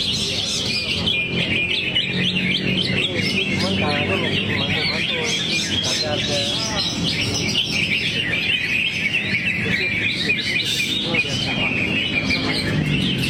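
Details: Greater green leafbird sings a long, busy medley of twittering and whistled phrases, high and unbroken throughout, with low voices and some background rumble beneath.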